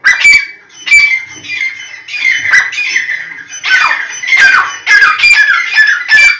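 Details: Black francolin (teetar) giving loud, scratchy, squawking notes in uneven phrases, each harsh grating syllable followed by short breaks, across six seconds.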